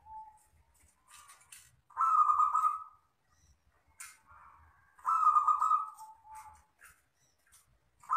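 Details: Local wild-type zebra dove singing in the long 'crystal' style used as a tutor and lure song: two long, rolling, vibrating coos with softer low notes in between and faint clicks.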